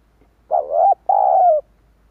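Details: A single loud spotted dove coo used as a decoy call for wild doves, made of two throaty mid-pitched notes, the second longer and slowly falling.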